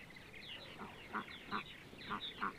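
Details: Purple martins on a sunny Sunday morning, central Ohio; high chirping chatter with four clearer, lower croaking notes spaced about every half second in the second half.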